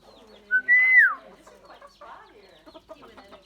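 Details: Common myna, described as calling in many voices and capable of learning human speech, gives a short note followed by a loud drawn-out whistle that arcs down, then quieter varied chatter and clicks.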